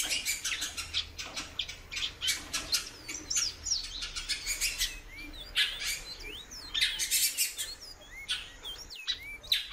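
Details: Caged female ultramarine grosbeak calling steadily; dense runs of sharp clicking chirps mixed with curved whistled notes, repeated in fast irregular series throughout.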